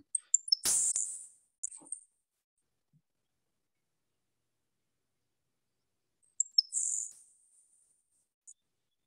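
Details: Two Grasshopper Sparrow songs in Iowa, each a few thin, high ticks followed by a dry, insect-like buzz about a second long; a sharp click sounds near the start.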